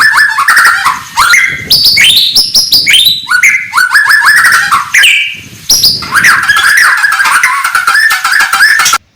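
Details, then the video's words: White-rumped shama singing in the morning, a song used to provoke rival birds: loud, rich, fast-changing whistles and rising slurred notes, with buzzy rattles and sharp chips packed closely together, then a brief pause before a dense final burst. "kicauan murai batu pagi hari cocok buat naikan emosi lawan"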